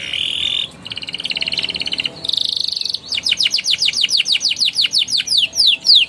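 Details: Lively canary singing in ngeriwik and ngeroll style, aimed at stirring young canaries to sing: three dense buzzy rolls, then a long run of sharp descending chips growing louder toward the end.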